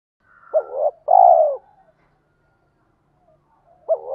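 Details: Spotted dove decoy giving the "tiếng thúc" call to draw wild doves: one low phrase, a short hooked note followed by a long rasping coo, then silence and the start of the next phrase.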